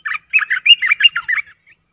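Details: Caged streak-eared bulbul, a new bird in the keeper's collection, giving a short burst of bubbly, warbled chirps, rapid notes chained together over about one and a half seconds in a quiet room.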